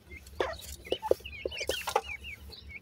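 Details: Grey francolin chicks, Indian gora teetar, calling with short up-slurred cheeps and thin whistled chirps, scattered through the moment, with several brief low clucking notes and a low background hum.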